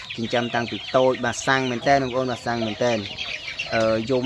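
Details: Decoy waterhen, hand-reared and unafraid of people, calls loudly while its owner's hand is near. Deep harmonic notes come in short bursts, about one a second, with a brief pause before a final call.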